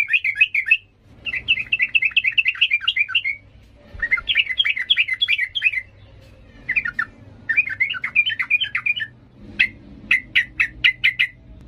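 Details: Yellow-vented bulbul in energetic, emotional 'ngalas' singing style, used to train young birds: bursts of fast, bubbling warbled phrases around the mid-high range, separated by short pauses, ending in a string of sharp repeated chips.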